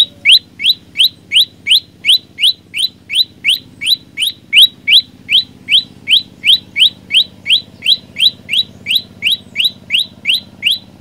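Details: Loud, sustained song of an olive-backed tailorbird: some 31 bright, rising, upslurred notes in a regular run near three per second, with a soft background hum.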